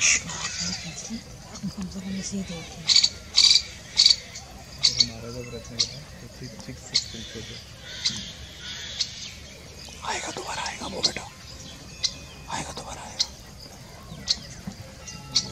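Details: Indian Roller at Jhalana giving harsh, rasping chak notes in irregular bursts, with faint background chatter and other birds.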